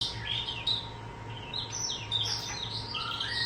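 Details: Young pet starling, about four months old, copying words and sounds learned from an older male starling kept with it; soft whistled and warbled notes sliding high and low, with a steady low hum underneath.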